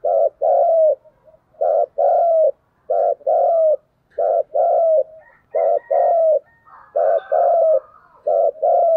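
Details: Spotted dove giving a fighting coo meant to spur rivals to fight. Loud, hollow coo notes repeat in quick pairs and triplets with short pauses. Faint softer coos from a second bird overlap toward the end in a quiet setting.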